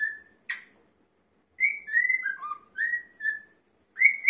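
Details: A male cockatiel whistles a learned tune of clear, sliding notes, Queen's "Another One Bites the Dust", to court a female, who seems unimpressed.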